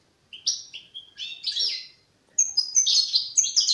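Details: European goldfinch, a young bird still working out its song: two short bursts of bright liquid twittering separated by a brief pause, the second phrase higher and faster.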